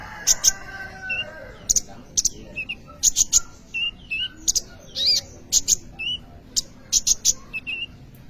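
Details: Busily singing sunbird (kolibri ninja), intended as a lure or tutor for training young birds, repeats sharp, very high chips in pairs and triplets, mixed with softer lower twitters, at a steady lively pace.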